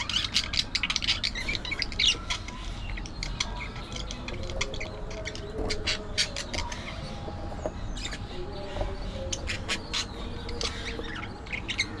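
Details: Budgerigar chatter: dense, scratchy clicks and short squawky chirps pour out in rapid, irregular bursts over a steady low rumble of background noise.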